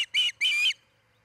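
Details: Osprey at its nest in Charlo, Montana, where a breeding pair is nest-building: two shrill whistled notes, the second longer and slightly sliding, over a quiet background hum.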